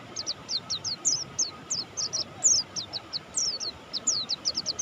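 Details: Mountain white-eye, Buxtoni type, singing energetically: a fast, even run of very high, slurred, downward-sweeping chirps, about four to five per second, over a faint background hum.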